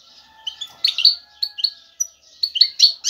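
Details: Male European goldfinch singing to attract a female for mating: sparse, bright twittering notes and short chirps in separate bursts, with a faint steady tone underneath.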